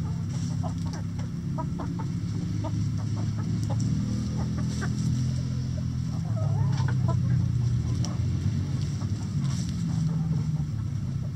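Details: Chickens in a coop giving short, irregular clucks and soft murmurs, repeated often over a steady low rumbling hum.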